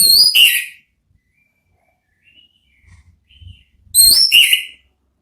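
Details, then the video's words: Orange-headed thrush giving ngeplong-style lure song for therapy: a short ringing whistled phrase, quiet pause with faint low knocks, then a matching bright phrase of rising and falling whistles. "belajar NGEPLONG cocok untuk MEMANCING ANIS MERAH supaya ikut NYAUT ¦ KICAUAN TERAPI"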